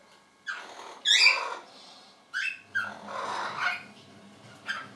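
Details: Pet orange-winged amazons, a pair said to be noisy in spring, give scattered short whistles and harsh squawks with quiet pauses between.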